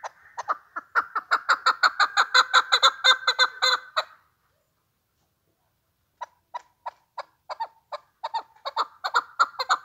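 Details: Chukar partridge delivering a fast series of loud, raspy chuckling notes that builds for four seconds and breaks off. After a silent pause, a sparser run of clucks resumes and quickens again.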